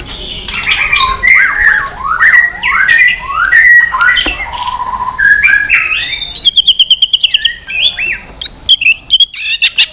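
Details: White-rumped shama in many-voiced fighting song, tail flicking: a rich run of varied whistles and slurred rising and falling notes, then a burst of rapid sharp chips and high trills near the end.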